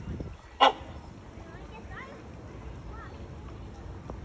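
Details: A great hornbill in its enclosure at San Francisco Zoo gives one loud, harsh bark, then falls silent. Faint voices and a few soft, distant chirps fill the background.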